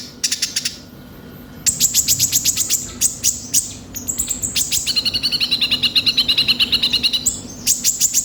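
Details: Konin, Van Hasselt's sunbird, in a lure recording: fast series of very high ticking chips, then a long steady trill of lower paired notes lasting about two seconds, ending with more chip bursts.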